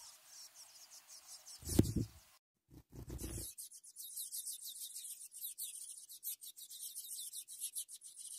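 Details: Ultramarine grosbeak (Cyanoloxia brissonii) nestlings being fed give thin, high, rapidly repeated begging notes in a steady chatter, broken early by a few dull thumps and rustling.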